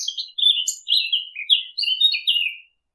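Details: Eurasian blackcap, a migratory bird, recorded clean as a hunting lure: high, fast warbling of short whistled and twittering phrases, several bursts in quick succession with brief gaps, no other sounds.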